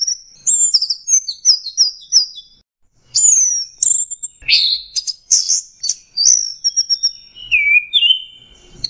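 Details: High-pitched orange-headed thrush song in the energetic 'teler' style, rich in mixed fill phrases: quick descending whistles repeated in a row, a pause, then sharp chirps, buzzy notes and a falling warble.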